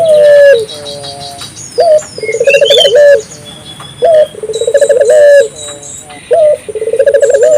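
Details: African collared dove giving repeated calls to stimulate other doves: a brief clear note followed by a fast rolling pulsed coo, the phrase recurring about every two seconds, with scattered high chirps behind.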